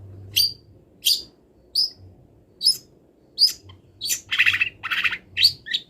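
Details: Long-tailed shrike mid-moult singing with wild-bird imitations: thin high notes spaced about a second apart at first, then a tight run of broader, rasping bursts near the end.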